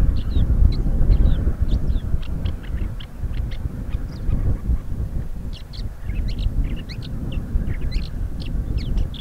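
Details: A woodchat shrike, a rare passage visitor in Crimea (two males and a female seen), sings a rambling, varied string of short, high chirps, squeaks and scratchy notes over a steady low wind rumble.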